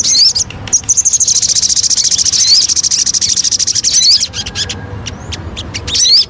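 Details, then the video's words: Lure song of the Javan cochoa: a sustained, very high, buzzy trill lasting about three seconds, with curling whistled notes at its edges and frequent loud clicks. "Pancingan Burung Sogon"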